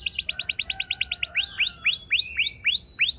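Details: Young canary singing as a lure to set other canaries singing: a rapid run of about a dozen descending chip notes, then slower, louder upswept whistles repeated roughly twice a second.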